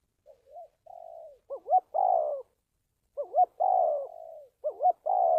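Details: Spotted dove calls intended for decoy training and trapping; two soft short coos and a mellow drawn note, then three phrases of a rising-falling double note followed by a long descending coo, with a clean, quiet background.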